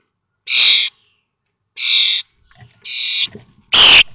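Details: Common starling chicks, 21 days old and fledging from a watched nest at Théding on 19 May 2024: four loud, harsh, hissing rasps, each under half a second long, about one second apart, the last the loudest.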